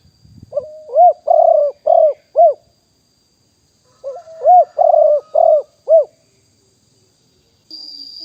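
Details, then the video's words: Two repeated phrases from a wild spotted dove recorded live in 2021 for decoy calling. Each phrase is a short lead-in followed by four hollow coos, with about four seconds between them and a faint faraway chirp at the end. "นกเขาใหญ่ป่าเต็ม100% บันทึกสดเสียงต่อนก2564"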